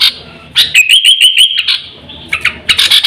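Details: Sooty-headed bulbul lure call meant to attract birds and train pet birds: a brief run of six or seven sweet, upslurred chirps, then a few scattered harsher notes.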